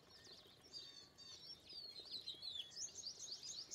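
An Indian pied myna gives a fast, varied run of high whistles and chattering notes, rising into a busy jumble toward the end, with faint outdoor background.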